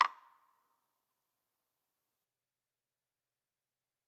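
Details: A single short ding fades within half a second, followed by silence.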